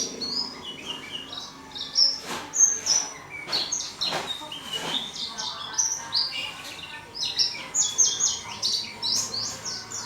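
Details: Warbling white-eye singing eagerly inside a small cage, pouring out dense bursts of very high, sweet, jumbled twittering notes, broken by a few sharp clicks and short gaps.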